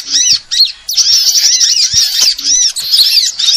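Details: Sunbird call used as a bird lure: high whistled, arched chirps repeated rapidly in a continuous chatter, with brief dips.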